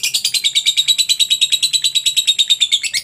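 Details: Unbroken, very rapid, high-pitched chirping from a lovebird, a call used to provoke other lovebirds into singing, with evenly spaced shrill pulses throughout.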